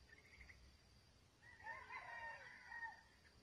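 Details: Red junglefowl crowing during a trapping session with a decoy bird kept on watch for a long time: one harsh, drawn-out crow lasting about a second and a half, with a faint call just before it and quiet background hiss.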